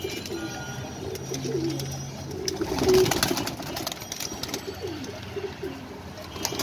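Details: Pigeons cooing while they eat food, low soft coos rising and falling, several birds overlapping, with rustling and pecking clicks throughout.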